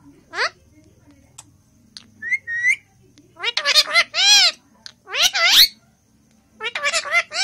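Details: A pet Indian ringneck (rose-ringed) parakeet talking in Hindi and whistling gives bursts of shrill, whistled mimicked speech, harmonic phrases with rising and falling notes, separated by short pauses.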